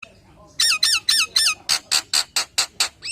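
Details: Nias hill myna singing a full, varied 'nembak' style song, used to lure other Nias hill mynas. Four loud, harsh whistled notes with falling tails come first, then a run of seven rasping bursts roughly a quarter-second apart.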